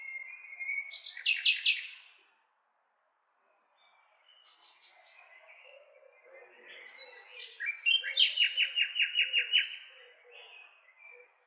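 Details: Nightingale song: a low whistle, then loud buzzy rattling phrases, a pause, higher trills and a long run of rapid repeated notes near the end.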